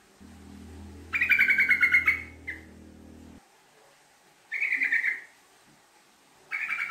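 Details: Sooty-headed bulbul (trucuk) giving long 'ngekek' chattering song as a lure: rapid laugh-like bubbling phrases, one nearly a second long, repeated after pauses, with a low steady hum in the background early on.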